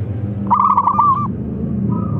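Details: A local zebra dove's loud call, a brief rapid trill of bubbling coos, rises above a constant low rumbling background; the calling is meant to prompt replies.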